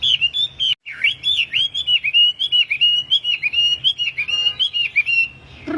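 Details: A tame wambi in strong song produces a sustained, fast-wavering whistled warble. It is broken briefly near the start, then continues for about five seconds before a lower closing note.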